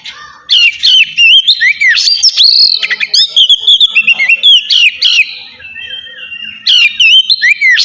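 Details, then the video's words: Kacer, the oriental magpie-robin, delivering relaxed ngeplong song meant to coax lazy birds into singing: a dense run of loud, clear whistles, slurred sweeps and chattering notes, with a short lull before another burst. "suara kacer ngeplong santai cocok buat mancing kacer malas bunyi"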